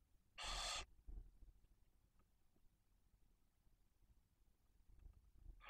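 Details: Barn owl nest in Cabañeros National Park, Spain, where the female tends two newly hatched chicks. One short, loud, breathy hiss is followed by several seconds of quiet rustling before another hiss begins at the end.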